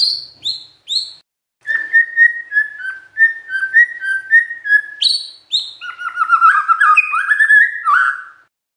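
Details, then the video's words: A magpie-robin sings a rich, varied song: high sharp whistles, then repeated mid-pitched warbled phrases, ending in a fast, rising jumble of notes; said to make any magpie-robin hearing it respond at once. "SETIAP MURAI YANG DENGAR, LANGSUNG TERSENTAK MERESPON"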